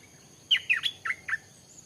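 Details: A newly acquired Stripe-throated Bulbul, taken around 7 a.m. to its usual forest spot, gives a quick phrase of five bubbly, slurred notes within a second, bright and mid-high, sounding unlike the local birds, over a quiet background.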